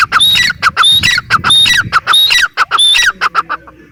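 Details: Grey francolin (teetar) calling loudly and close: harsh, ringing phrases repeated in quick rhythmic bursts about every half second, each with sharp high overtones, ending in a fainter stutter of notes.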